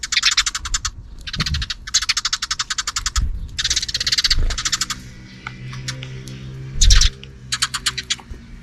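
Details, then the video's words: Sparrows noisy in the afternoon, partly out of view: several long trains of rapid, rasping chirps, then quieter scattered notes and a low hum, with one short loud burst near the end. "Even in the afternoon, the sparrows are still making noise outside the camera frame."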